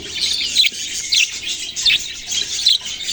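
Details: Young budgies chirp in a high, scratchy twitter, with louder bursts of squeaky notes roughly every half second over a steady background chatter.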